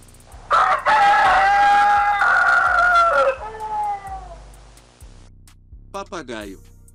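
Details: Rooster giving one long, loud, drawn-out crow lasting nearly three seconds that trails off with a falling tail, followed by a brief higher squawky call near the end.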